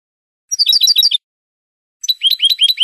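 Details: Spanish goldfinch song used to train cage birds: a rapid, jingling run of tinkling notes, a pause of under a second, then a second run of sweet rising chirps.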